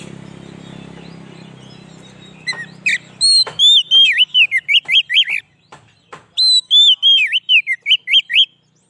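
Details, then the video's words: White-rumped shama song used to attract wild shamas: after low rumbling noise, two loud runs of clear whistled notes with looping downward slurs, separated by a brief pause. "suara burung kacer cocok buat pikat burung kacer di huta liat"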